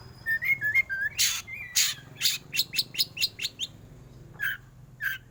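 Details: Black white-rumped shama, a caged contest bird, singing: a few whistled notes, then a rapid run of sharp, loud chattering bursts repeated about twice a second, a pause, then more scattered calls over a steady low hum.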